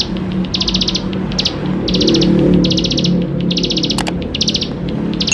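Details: Bar-winged prinia singing a busy, fill-in-rich chatter meant to prompt young birds to sing: rapid high ticking bursts in close succession, with a low droning hum and one sharp click underneath.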